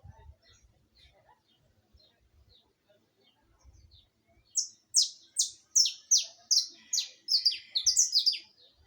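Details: After several seconds of near silence, a saffron finch launches into a rapid, accelerating series of high descending chips that grow denser toward the end.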